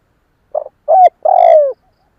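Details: A single cooing phrase of a spotted dove, used for luring other doves: a soft short note, a clear hoot, then a long, slightly falling drawn-out coo. No other sounds.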